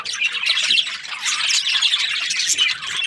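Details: Australian budgies chirping: a dense, continuous chatter of overlapping high squawks and quick warbling tweets with no pauses, steady in loudness through the short stretch.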